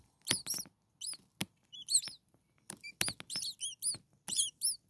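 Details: Hungry common starling chicks, six nestlings a few days old, in a nest. They give rapid bursts of piercing, arched squeaks, often in clusters of two or three, with sharp clicks and scuffing sounds between them.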